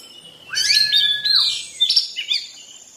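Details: Short passage from a moulting Oriental magpie-robin: a rising whistle, then a long level whistle dropping at the end, followed by sharp chirps.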